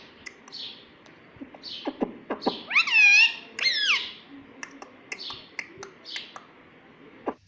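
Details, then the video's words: Pet ringneck parrot indoors, meant to be saying "mummy papa": rapid clicks and chirps around two loud, arching harmonic syllables in the middle, over faint room hum. "Mummy Papa Bolunga Meto || Parrot Talking || Bolne wala tota"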